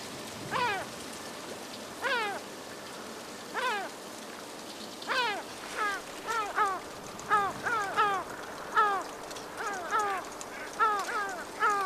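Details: A pair of yellow-legged gulls quarrel over a fish, first spaced falling cries, then a faster run of overlapping harsh descending calls, with continuous hiss behind.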